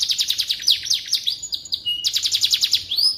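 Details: A canary sings a tutor song for white-rumped shamas: rapid high chopped notes and slurs, a brief clear whistle, then another fast rolling trill ending in an upward sweep.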